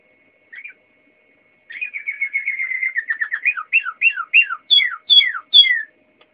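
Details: Waterslager canary singing: a brief note, then a fast even rolling trill sliding gently lower, giving way to separate downward-swooping whistled notes about twice a second, the last few starting high and dropping sharply.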